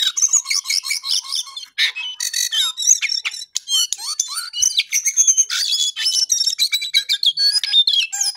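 A Lesser Shortwing pours out a fast, high, jumbled warble of sweet whistles, slurred notes and trills, almost without pause, with no other sounds noticeable.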